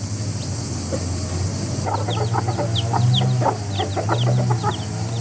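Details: A rooster family making noise together: rapid, uneven runs of short clucks, roughly four per second, over a steady low engine-like hum.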